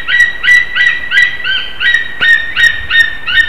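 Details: Mating white-tailed eagles at a nest in Slītere, Latvia, morning of 26 February 2021; a chain of shrill, slightly downslurred yelps, about three per second, with a brief pause midway and a single sharp click.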